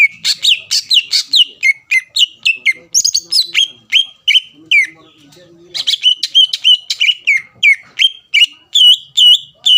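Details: Lure song of a greater green leafbird meant to anger rivals into replying: fast series of sharp, clipped whistled notes repeated steadily, with short rising and falling slurs and a brief lull midway.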